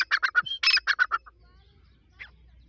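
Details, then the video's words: Grey francolin, locally called teetar, either the Desi or the Dakhni type: a quick harsh series of about nine strident, clipped notes in just over a second, then near silence with one faint note. "Desi Teetar Vs Dakhni Teetar Voice"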